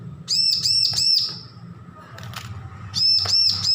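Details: Young bar-winged prinia, newly weaned from hand-feeding, learning to sing: two bursts of about four arched, high chirping notes in quick succession, separated by a pause, over a low steady hum.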